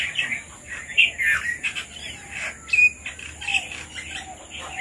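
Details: Red-vented bulbuls eating papaya chirp irregularly: clear squeaky notes and short rising whistles spaced through the clip over a steady high hum.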